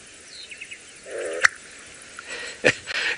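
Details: Black-bellied bustard display call, played from a phone in long savanna grassland in Kenya near a camouflaged male bird: a low brief croak, then a sharp pop, another about a second later; the call attracts females.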